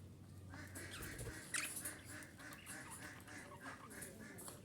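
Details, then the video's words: Female budgerigar calling to stimulate breeding: quiet, busy chatter of short buzzy and harmonic notes, with a sharp squeak near the middle and a low hum underneath. "DİŞİ Muhabbet Kuşu Sesi - Muhabbet Kuşu Kızıştırma"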